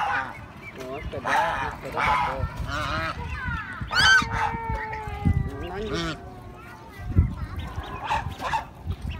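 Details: Geese calling: quick nasal honks at first, then one long, drawn-out, steady honk lasting about two seconds, followed by scattered shorter calls and low background noise.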